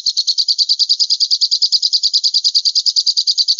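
A falcon gives a fast, even chatter of high, sharp notes, about nine a second, running without a break. No other sounds are heard.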